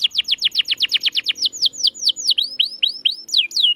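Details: Singing canary used to prompt silent birds: quick descending whistled notes that slow into looping, rising-then-falling whistles, with a faint low hum behind.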